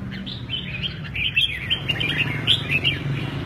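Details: Red-whiskered bulbul noted for lively wing-playing, giving short bright warbled notes over a steady low hum and background noise.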